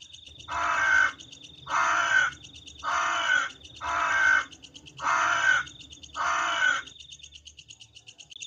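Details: Crow calling at night: six harsh, hoarse caws of about half a second each, evenly spaced roughly every 1.2 seconds, over a faint steady high-pitched hum and low background rumble.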